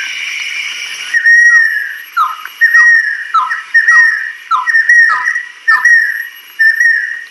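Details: Adult female banded kingfisher with a sequence of loud whistled phrases, each a high note sliding sharply downward into a lower slurred tail, repeated about six times with short gaps.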